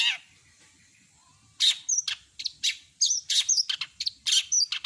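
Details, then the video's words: Long-tailed shrike, locally cendet, singing a full mimicry repertoire: a brief falling note, a quiet gap of over a second, then a dense series of shrill chips and twisting whistles. "Masteran burung CENDET gacor isian lengkap kompilasi jos suara jernih"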